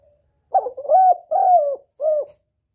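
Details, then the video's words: Spotted dove giving a lure call meant to attract a male: a short hooked coo, then a long smooth level coo, and a last shorter coo, all mid-pitched and clean over silence. "Tiếng chim cu gáy gọi kích bổi, gọi trống cực hay"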